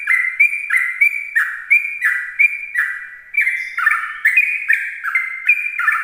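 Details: Continuous ropel song of a sooty-headed bulbul in the morning, played to attract other bulbuls. Lively, bubbling notes, each sliding downward, are delivered about three per second for six seconds, with no other sounds.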